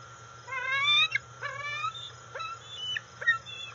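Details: Juvenile female bald eagle, 131 days old, returning to the nest on August 5, 2020, as her father arrives with food. Two long, whining upward-slurred squeals give way to quick sharp chips and short whistles, with a faint constant hum beneath.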